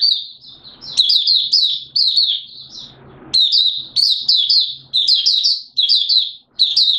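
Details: Malaysian mata puteh (Oriental white-eye) singing 'buka sing' in Singapore on 29 March 2023, warm humid weather with sudden showers; energetic high-pitched warbling in repeated short bursts, with a faint low hum and brief rushing noise between phrases.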